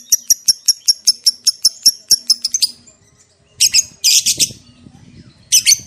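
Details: Lovebird singing in the ngekek panjang style, a lure recording meant to provoke other lovebirds into answering: a fast run of sharp, high chattering notes about six per second, then a pause and several louder rasping, shrieky bursts.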